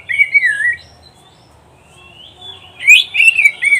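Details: Oriental magpie-robin song used to train pet birds: a rich warbling whistle, a quiet gap with a thin drawn-out note, then a loud burst of fast, twisting, bright whistled notes.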